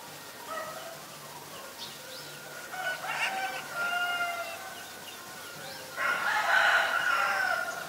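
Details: Black-collared starling, Ubon Ratchathani, Thailand, 17 April 2022: loud, varied calls mixing harsh chatter with clear sustained whistles. Calling builds to a dense, noisy outburst near the end, over a low steady hum.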